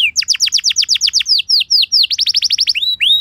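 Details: Canary lure song for prompting replies from other canaries: a series of loud downward whistles about eight per second, a few slower slurs, then a fresh fast run ending on a rising note.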